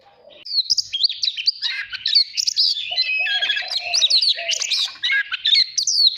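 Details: Oriental magpie-robin song used to train a bird's voice and prompt competitive singing. Begins faintly, then builds into a steady stream of crisp high whistles, chattering phrases and occasional lower whistled notes.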